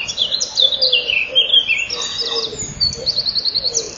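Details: Common kingfishers at their nest burrow on 12 May 2013 at 07:57. The female hears the male and wants out while he is already in the tunnel before feeding. Shrill, high whistled notes sweep downward, then a fast run of short repeated peeps.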